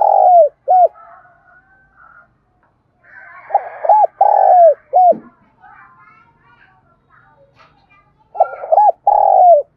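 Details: Vigorous cooing of a spotted dove, played to lure and excite wild doves: three bursts of deep, hollow coos, each a few short rising-falling notes ending in a longer one, separated by quieter gaps with faint chirps.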